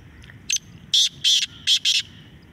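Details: Black francolin calling in a contest, a short burst of five harsh, grating notes: one quick note, then four loud rasping notes in even pairs over a second and a half, above a low background rumble.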